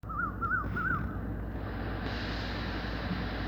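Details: Cuckoo calling in the evening dark: three short, wavering whistled notes in quick succession, then only a steady low hum of background noise.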